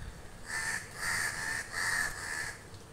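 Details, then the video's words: A crow gives four harsh, raspy caws in quick succession, each about half a second long, with faint background hiss. "crows calling me"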